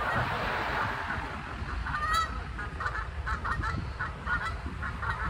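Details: Loud ducks calling in Durham, North Carolina, perhaps arguing or having a loud discussion. After a noisy start, a run of harsh, nasal honking calls repeats rapidly with short gaps, over steady low rumbling background noise.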